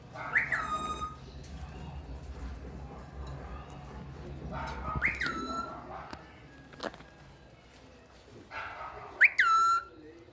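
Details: Talking parrot kept as a pet, voice described as Urdu and Hindi speech, here giving sharp whistled calls that jump up then slide down to a steady held tone, three times a few seconds apart, faint room noise between.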